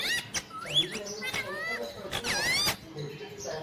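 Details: Ringneck green parrot giving looping whistled notes that swoop up and down, then a cluster of rising harmonic squeals, over faint background voices.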